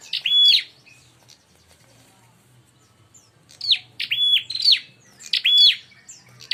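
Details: Bar-winged prinia lure calls meant to stir birds into fighting: one burst of harsh chirps with a level whistled note, a pause, then two more quick bursts close together.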